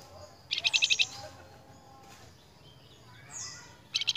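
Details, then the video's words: Flamboyan song used as a lure recording for training cage birds: short bursts of rapid, high, buzzy trilled notes at the start and end, with a brief descending whistle between and quiet background hiss. "PANCINGAN BURUNG FLAMBOYAN YANG GACOR"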